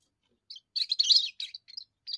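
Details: Young European goldfinch singing its first song, which defends territory and attracts females: after a short lead-in note, a dense rush of buzzy, tinkling twitters, followed by a few separate chirps.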